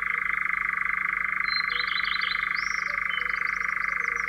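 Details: Continuous even churring of a European Nightjar in Central Russia, a dry rapid trill that never breaks, while another bird adds brief twittering and rising whistled notes above it.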